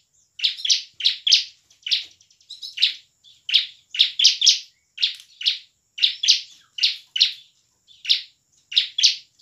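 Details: Bar-winged prinia singing gacor, full of emotion, in ngebren and nembak style, used as a lure to get lazy prinias singing; loud sharp buzzy chip notes in quick clusters of two or three, repeated steadily across the clip.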